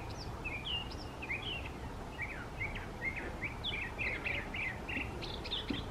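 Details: A mockingbird in a park sings a steady stream of varied, high chirped and whistled phrases, each changing quickly to the next, over a low background rumble; possibly including Eastern Towhee and chickadee imitations.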